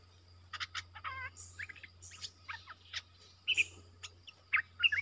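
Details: Bulbul song for training young birds, the styles named sap dok, boen and rik: scattered short chirps and brief warbled phrases spread over several seconds, with a steady high electrical whine and low hum behind.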